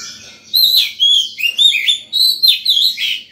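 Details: Caged White-rumped shama singing in the morning, calling to other birds and training young birds: loud, varied whistled phrases with rapid slurred notes in close bursts after a quiet start.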